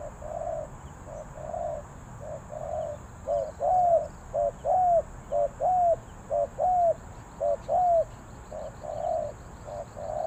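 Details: Spotted dove from Ninh Thuận, Vietnam, cooing in the Thai style called 3 kuk hoi. Low, mellow coos come in pairs, a short note then a longer arched one, about once a second. Faint high chirps from other birds sound in the background.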